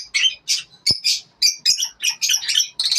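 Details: Lovebirds in the morning making harsh, squeaky chirps in short separate bursts, about two to three per second, uneven in rhythm.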